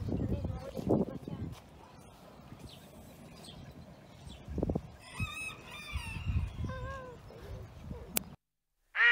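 Harsh, nasal duck calls come in a quick run of short, falling notes after low rumbling and thumps. The sound cuts off abruptly before a brief final call.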